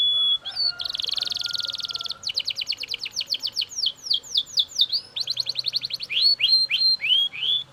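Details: Belgian canary in loud, unbroken song: a pure whistle, a dense buzzing roll, then runs of fast repeated sweeping notes that shift in speed and pitch from phrase to phrase.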